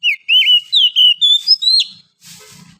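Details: Morning song of a wild oriental magpie-robin from forest: rapid series of pure whistles, first notes dipping, later ones rising higher and ending with an upward slur, followed by a short soft rustle.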